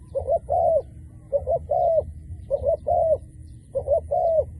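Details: A dove, called out as a decoy that calls frequently all day, coos in four soft, low phrases, each a short note then a longer falling coo, repeated about every second and a quarter over a low hum.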